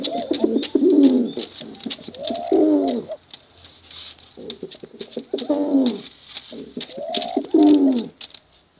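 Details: Bekuran coos from male and female contest pigeons: three loud bursts of deep vibrating, swooping coos, each lasting about two seconds, separated by quieter murmuring and soft clicks.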